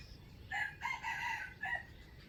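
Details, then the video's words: Trapping wild chicken giving its standard crow, dated 05/07/2025: a brief multi-part crow, two quick notes and then a held raspy phrase ending in a short separate syllable, set against soft ambient noise. "Trap wild chicken with standard crowing voice"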